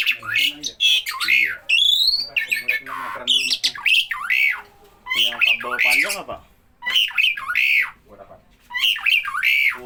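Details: Starling that calls whenever people are present: bursts of rasping squawks and slurred whistles in groups, with short pauses between phrases and some low background sound.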